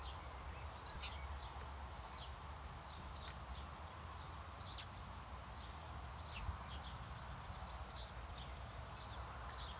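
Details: Feeding house sparrows give many brief, overlapping chirps and clicks throughout, some higher and squeakier, above a constant deep rumbling background.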